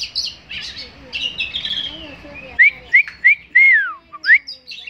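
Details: Tame kacer, the Oriental magpie-robin, said to be a potential contest champion: a jumble of mixed chirps and buzzy notes, then a run of loud, clean upslurred whistles, one drawn out and falling, against background hiss.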